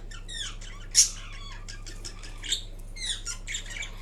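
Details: Napping pet Indian ringneck parrot, green, gives a soft run of chattering, scratchy little notes with one sharper squeak, quiet murmured sounds against a constant low hum in a small room.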